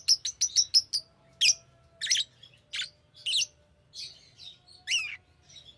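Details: Fischer's lovebird, pet, chattering: quick high chirps repeated rapidly, then shrill squawks and rising and falling whistled screeches at irregular intervals, with a faint steady low tone underneath.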